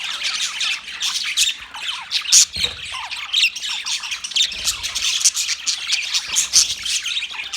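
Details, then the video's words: Budgies chattering in a steady, noisy chorus of scratchy chirps and squawks, punctuated by brighter whistled squeaks and short downward-sliding notes. "Budgies chirping sound"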